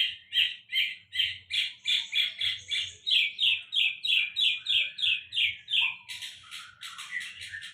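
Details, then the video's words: Sulingan laut pouring out a long, steady string of loud high whistled notes, about three per second, finishing with a harsh buzzy flourish. "Sulingan Laut Termahal"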